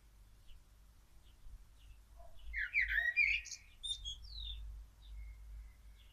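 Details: A common blackbird sings hidden in a tree, one brief phrase of mellow fluted notes that breaks into a higher, squeaky twitter, over a low steady rumble.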